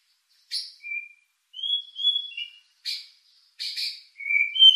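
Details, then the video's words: White-rumped shama lure song with rich fill, played to arouse emotion and breeding urge: sparse clean high whistles, some held and some dipping, broken by sharp dry clicking chips, with quiet gaps between notes. "Pancingan murai batu isian mewah mendongkrak emosi&birahi"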